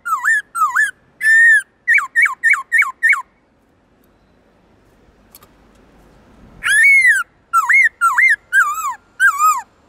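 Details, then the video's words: Black-throated laughingthrush in 'forest voice' song style. It sings loud, clear whistled phrases with bursts of short repeated rising-falling notes. The phrases are followed by a pause of about three seconds, then a louder downslurred whistle series. "Khướu bạc má HÓT GIỌNG RỪNG tone dài to rõ cực hay| Luyện khướu bạc má hót giọng rừng mỗi ngày"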